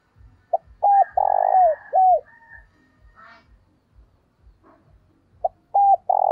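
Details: Spotted dove used as a decoy, cooing to draw in wild doves: a short hoot, then a longer rolling coo and a falling final note. A fainter phrase and another full phrase follow, over soft rhythmic low thumps.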